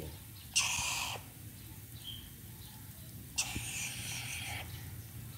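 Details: Chattering lory kept as a pet while being bathed, a bird said to love playing in water: two loud, harsh, rasping screeches about three seconds apart, with background hum.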